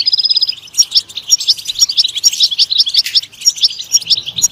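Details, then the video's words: Goldfinch song opening with a brief rapid trill, then spaced sharp, bright chirps and twittered notes delivered in an irregular, bouncy rhythm. "Comprehensive guide to stimulating and singing the goldfinch"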